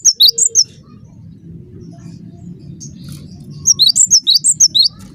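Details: Cinereous tit lure song to make other tits respond: a short phrase of four high whistles, three seconds of low hum, then a faster run of about eight ringing two-pitched notes.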